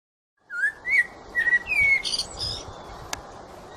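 Blackbird song: a few mellow, fluted whistled phrases, then a thin, squeaky high twitter at the end, over a faint hiss.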